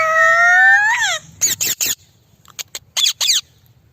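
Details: Captive Indian parrot, talking and making kissing sounds. A long nasal harmonic tone slides upward and then drops sharply. Several short, harsh raspy bursts follow, with clicking smacks near the end.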